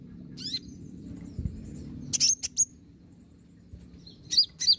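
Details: Olive-backed sunbird, recorded as a lure to draw a reply song: a few scattered high, sharp chips and a pair of brief hooked whistles near the end, over a faint low rumble.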